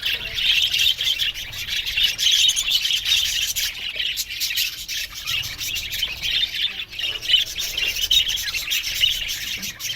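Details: Many budgerigars chatter in an aviary colony, a steady wash of high twittering and scratchy squawks with frequent short peaks, unbroken throughout.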